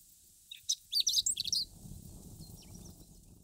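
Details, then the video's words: Chestnut-eared bunting singing in Akita, northern Japan; a short burst of high, rapid chirped and twittering notes lasting about one second, followed by faint further high notes over quiet low rumble. "Chestnut-Eared Bunting Singing Beautifully"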